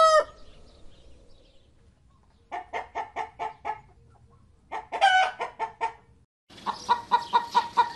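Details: Chickens with chicks: a short falling call opens, then clucks come in quick, evenly spaced runs of five or six, broken by brief pauses, ending in a brighter, steadier series of clucks.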